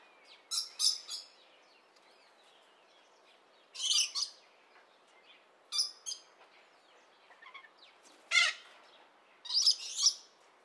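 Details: Rainbow lorikeets calling in separate harsh, noisy screech bursts spaced a second or two apart, some doubled, over a faint steady background hiss.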